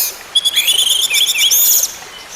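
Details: Orange-headed thrush, singing for therapy of a bird that stopped singing: a rich, continuous high warble of rising slurs and fluting whistles with rapid trilled notes.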